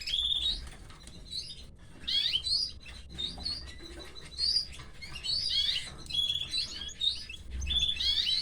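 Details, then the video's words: Hungry canary chicks fed by the mother bird, calling in continuous high, shrill chirping with bursts of squeaky, twisting notes every second or so. "female canary is feeding her chicks"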